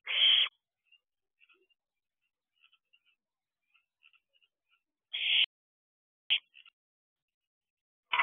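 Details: Young barn owl outside an owl box in the evening of 16 June 2023: rasping hissed screeches open and close the stretch, one more in the middle plus a brief clipped burst, and soft faint ticks between.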